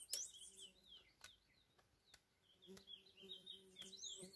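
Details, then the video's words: A Chestnut-bellied (lesser) seed finch, a curió, gives faint, high, sliding whistled phrases in short bursts over a steady low hum with sharp clicks and knocks. Recorded Sunday 25 April 2021 in hot sun. "Curió na pegada"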